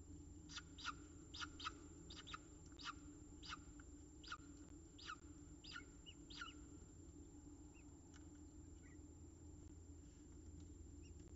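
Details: At a nest in Orange, Australia, Peregrine falcons beg during feeding with about a dozen thin, scratchy calls spaced half a second apart over seven seconds. The calls then fade to scattered faint chirps over steady low noise.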